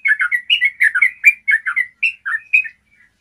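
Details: Clear-voiced yellow-vented bulbul delivering a quick trilling phrase, used as training material for other bulbuls: a rapid string of about a dozen bubbly, warbled notes, ending with a softer trailing whistle.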